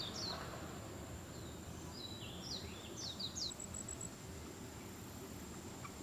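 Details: Common moorhen chick giving thin, high, downward-sliding peeps in a loose series of short calls. Steady low background rumble and a constant high electronic whine run underneath.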